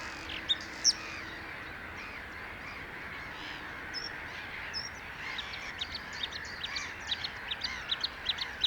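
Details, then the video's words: Bluethroat singing: a few sharp, high isolated notes early on, then a quickening run of short, piercing high-pitched notes through the second half, all over a steady hissing, buzzy background din. "Cute Bluethroat singing (Luscinia svecica) - Blaukehlchen HQ Sound"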